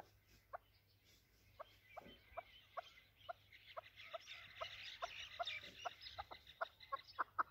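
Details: Chukar partridge, a desi Afghani chakor voice used by hunters: a long run of sharp, clucking notes that quicken and grow louder toward the end, over a busy background of softer chattering and chirps.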